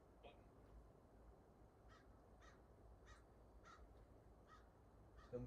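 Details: Crows outside heard faintly through an open window, giving a series of about eight short, harsh caws roughly every half second over a steady low indoor hum.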